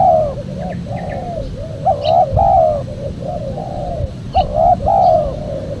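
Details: Cooing spotted dove used as a caller for wild doves: rhythmic mellow hoots, a short rising coo then a longer sliding one, repeated steadily with faint chirps of other small birds behind.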